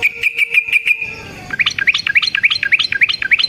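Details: Yellow-vented bulbul song used as a lure to make other bulbuls sing, in a long rolling fighting style: a buzzy pulsed stretch near one pitch, then quick looping chirped notes repeated about three times a second.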